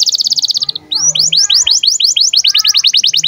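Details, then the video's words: Canary in breeding condition, recorded as a tutor for young birds: a brief, very fast buzzy trill, a short gap, then rapid repeated high down-slurred notes, roughly eight per second. "KENARI GACOR Cuit CUIT BIRAHI UNTUK PANCINGAN & MASTERAN Kenari PAUD AGAR BUNYI DAN NGEROL"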